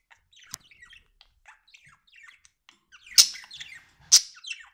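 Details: A pet budgerigar gives soft, scattered twitters, then two loud sharp squawks with brief warbling after each.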